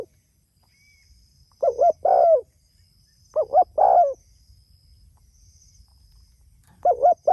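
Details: Spotted dove calling to others, giving three mellow cooing phrases, each a short double coo followed by a longer falling coo, separated by quiet gaps; faint high whine in the background.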